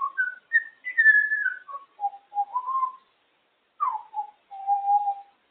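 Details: Pet female African grey parrot chatters on top of her cage indoors: a run of clear whistled, speech-like phrases rising and falling in pitch, in short bursts with a pause near the middle.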